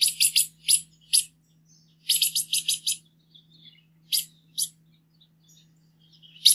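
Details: Green-headed tanager delivering its song: quick stuttering bursts of very high, hissing notes in runs of three to five, with isolated single ticks and faint twitters between.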